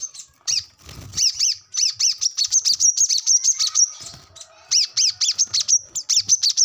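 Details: Brown-throated sunbird song used as a training recording for captive birds: a series of high, sharp chirps with descending overtones, rapidly repeated with brief gaps, then a fresh burst of similar chirped notes.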